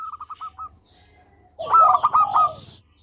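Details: Local zebra dove singing: a short, soft run of quick clipped notes, a brief pause, then a loud, rich burst of rapid notes layered over a low coo.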